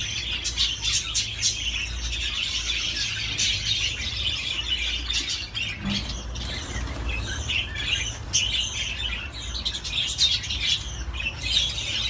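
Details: Budgerigar song: unbroken high-pitched warbling and chirping chatter with scattered harsh squawks, set against a constant low background hum.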